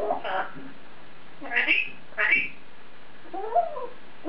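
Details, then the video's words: Caged male African grey parrot chattering to itself indoors: a few hoarse, speech-like syllables, then a softer rising-and-falling whistled note near the end. "African Grey Parrot Taking To Himself In His Cage"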